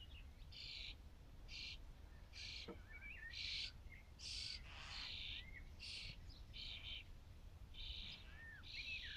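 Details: Nearly fledged young Common Starlings beg constantly for food, driving the parents to keep feeding. They give harsh, raspy hissing bursts, roughly one a second, mixed with short whistled chirps over a low background rumble.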